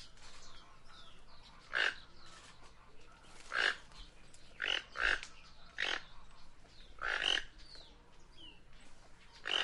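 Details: Guianan toucanet repeating harsh, grating croaks, about nine loud notes over ten seconds, some paired closely, against soft forest background.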